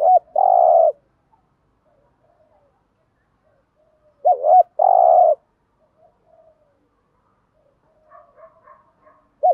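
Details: Spotted dove cooing used as a lure to draw wild doves: two loud phrases about four seconds apart, each a short lead note then a long, deep, steady coo, with faint soft cooing notes in the gaps.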